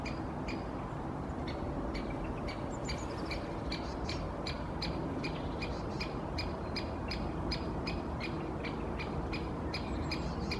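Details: Two great spotted woodpeckers (Dendrocopos major) on a conifer in the canopy in Helsinki, Finland, April 2023, one calling incessantly: sharp, high 'kik' notes repeated irregularly every fraction of a second, over a steady low rumble of wind or distant traffic.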